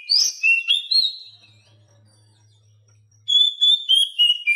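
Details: Captive Oriental magpie-robin song used as a tutor recording for silent birds: bright rising and falling whistled phrases, then a pause with a faint low hum, then a sustained high whistle breaking into short repeated notes.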